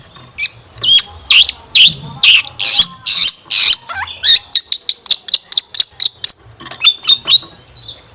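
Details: Long-tailed shrike singing a varied lure song meant to set other shrikes singing: a quick run of scratchy, twisting high notes that shifts into a fast series of short clipped ticks and chips, steadily repeated.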